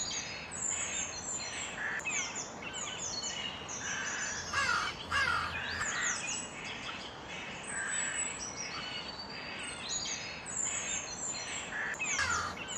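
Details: Crow calling outdoors: short harsh caws recur irregularly through the clip, mixed with high chirps, trills and whistled notes from several other small birds and a steady background hiss.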